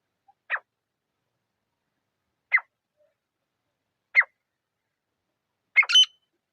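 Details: Grey francolin (teetar), a pair, in a quiet forest: short, sharp single notes spaced about two seconds apart, ending in a quick two-part note. No other sounds.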